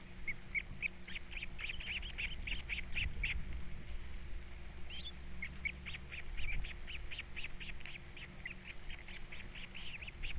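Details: Osprey chicks, three nestlings at a nest on Captiva, calling at feeding time: a rapid series of short, slightly buzzy chirps repeated several times a second, with a steady low hum underneath.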